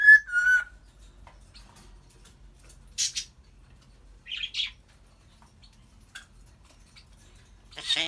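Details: African grey parrot talking and making sounds, including laughing and burping; opens with a clear, slightly falling whistled note, then scattered short harsh calls separated by quiet gaps.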